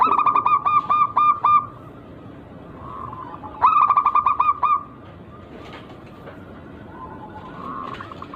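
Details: Zebra dove from the wild, a local bird with an unusual rhythm, singing to draw rivals into replying: quick bursts of clipped, hollow coos at the start and again midway, with soft faint cooing in between.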